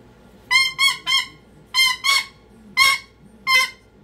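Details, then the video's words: A pet cockatoo in full meltdown gives harsh, buzzy screams, first a triple burst, then a pair, then two single shrieks, all loud and overtone-heavy. "Cockatoo Meltdown To Whispering"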